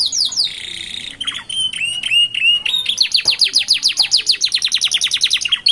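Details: Young canaries daring to sing at the roadside, with a distinctive rhythm of descending whistles, sharp chirps, a brief steady whistled note, then a fast run of repeated falling whistled notes.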